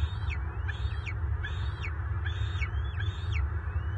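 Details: Adult male bald eagle in Southwest Florida, March 24, 2023, clashing with an intruding mature eagle near his nest, the two locking talons. Repeated high, thin, descending whistled notes, about one every 0.75 seconds, over a constant low rumble of wind or handling noise.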